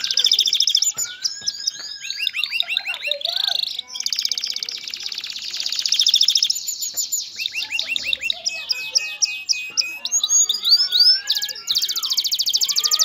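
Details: Male canary singing to ready a female for breeding and nest building, a long varied performance of successive trill tours, rolling, buzzy and whistled phrases separated by brief pauses.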